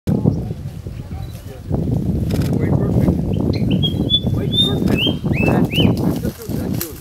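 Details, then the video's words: White-browed Fantail (Rhipidura aureola) song: a short run of thin, clear whistled notes, some rising and some falling, over heavy low rumbling wind or background noise. "Song of White-browed Fantail"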